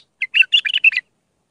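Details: One quick phrase from a raw Mandali Iraqi bulbul, sung as tutoring for young birds: about seven rapid, bubbly, high notes run together in under a second.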